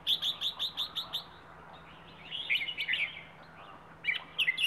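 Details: Wild bird from Rayong, Thailand, singing in the plai ho song style: a run of about seven short, bright, evenly spaced chirps, then a pause and a looser burst of higher twittering notes near the end.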